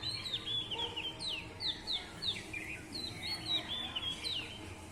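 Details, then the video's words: Birds chirping: a busy stream of quick, high, sweeping whistled chirps, several per second, with overlapping callers and a soft background hiss. "Original sound of birds chirping"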